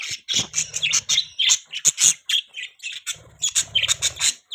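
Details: Budgerigar chirping: dense bursts of high, buzzy chirps and quick warbled notes, some rapid squeaky notes and short gaps, with low rustling in parts.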